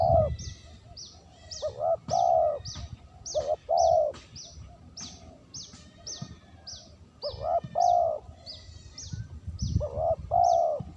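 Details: Repeated spotted dove coo phrases used for luring: clusters of short and drawn-out low mellow coos separated by pauses, with a continuous series of high thin chirps and some low rumble.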